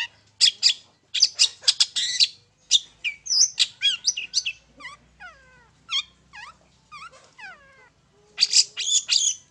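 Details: Long-tailed shrike singing in one spot as a lure: rough scratchy chatter, then a run of clear descending whistled slurs, ending with renewed harsh bursts; faint low hum underneath.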